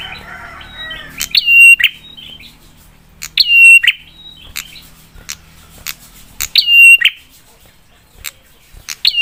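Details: Prenjak, a prinia, in its fiery lure song for provoking other prinias. Repeated phrases about every two to three seconds, each a sharp click, a quick upslur, a level whistle and a buzzy end, opening over some chattering.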